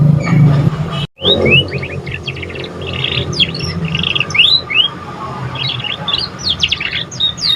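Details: Young canary still learning its song, played to stimulate other birds: a brief break, then a rambling series of upslurred whistles, buzzy trills and short sharp chirps over low droning noise.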